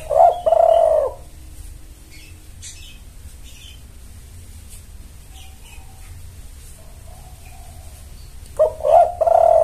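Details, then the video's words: Spotted dove lure for males: a double-noted stuttering opening and a long falling coo, repeated after about eight seconds of near silence with faint chirps. "Pancingan Tekukur Memanggil Pejantan"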